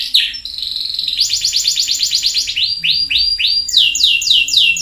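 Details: Canary singing, fast rolled trills and repeated high downslurred notes, tours shifting from buzzy rapid trills to slower swooping phrases, with a faint low hum beneath.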